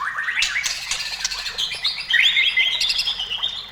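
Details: White-rumped shama singing vigorously to stir other shamas to sing: quick rising chirps and clicks open the phrase, followed by a bright wavering whistled run in the upper register.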